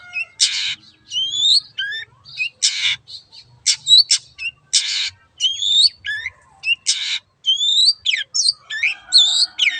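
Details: Long-tailed shrike in lively 'gacor' song, used to prompt silent birds to sing: harsh broadband rasping bursts alternate with sharp rising and falling whistled notes, delivered in quick uneven phrases with short pauses.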